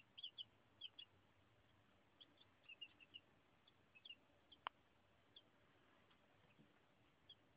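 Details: Chicks one to two days old giving short, high peeps, singly and in quick pairs or triplets, scattered irregularly, with one sharp click midway against a quiet, low background hiss.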